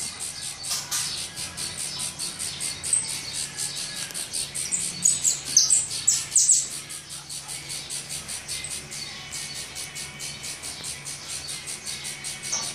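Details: Famished saffron finch young in their nest being fed, producing about two harsh high chirps per second that swell into a louder, denser burst midway, with brief needle-thin squeaks and a soft background hum.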